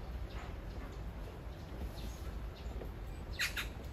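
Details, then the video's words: Courting magpie calling its mate only meters away; faint scratchy notes early, then a short, loud rasping double chatter near the end against constant low rumble. "까치의 사랑(몇 미터 옆에다 두고)"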